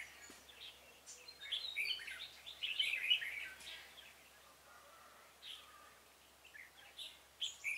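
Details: Red-whiskered bulbul as a trapping decoy for wild birds, 26 February 2018; a rich warbled phrase in the middle, then scattered softer chirps against a noisy outdoor background.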